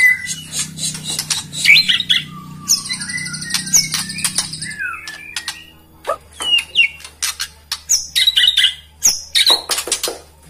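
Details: Varied songbird phrases said to be a white-rumped shama song for provoking rivals: sharp chirps, brief buzzy trills and slurred whistles with pauses, over a low steady hum during the first half.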